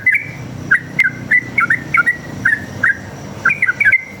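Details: Rapid forest-style sooty-headed bulbul song used as a lure for other bulbuls: crisp whistled notes spaced a few tenths of a second apart, some paired, with one sharp click early on and a faint hum beneath.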